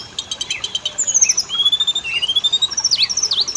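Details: Oriental magpie-robin song used as a lure for male and female birds: a short rattle of clicks, then long clear slurred whistles and sharp downward-and-up flicked notes.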